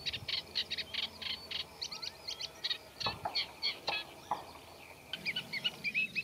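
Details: Eurasian reed warbler in a reed bed giving its scratchy, unmelodious song laced with mimicry; uneven harsh chirps and chatters, a few whistled slurs, with occasional low knocks in the background.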